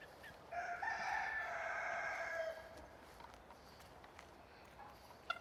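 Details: Chicken on a farm, filmed with only its natural sounds: a single drawn-out crow of about two seconds begins after a short pause, rasping and steady, then ends abruptly, leaving quiet farmyard ambience with a few soft clicks.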